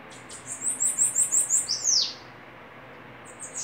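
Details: Bananaquit during a singing duel: a quick sequence of about seven high, buzzy notes ends in a loud falling swoop, followed by silence and a faint start of another phrase.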